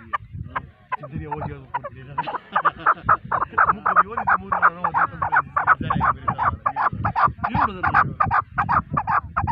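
A male chukar partridge gives a fast run of harsh, clucking chuck notes, about three a second, building into a rapid chattering series, with a low hum beneath.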